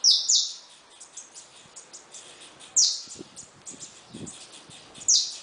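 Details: Saffron finches feeding freely at a feeder, scattered high sharp chirps, four loud ones spaced a second or more apart, with soft low knocks between.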